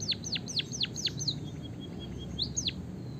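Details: White-headed munia singing a canary-like rolling phrase: a rapid series of bright, steeply falling whistled notes, a brief trill of short soft notes, then two more downsweeps, against a low continuous hum.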